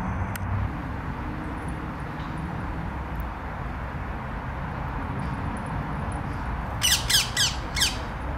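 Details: A Rose-ringed Parakeet, from a feral population of thousands descended from escaped pets in a German park, gives a quick burst of four harsh, grating screeches near the end, over a steady low rumble of traffic or wind.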